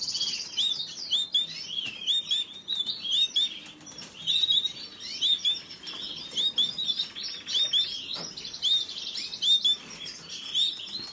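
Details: Canary singing a busy, high-pitched song of quick chirps, bright whistled notes and rattling trills, phrases bursting out almost continuously with short pauses between.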